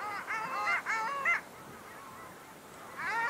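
Long-tailed ducks give nasal, yodelling calls in two quick bursts, then pause briefly before another begins, with a faint background hiss.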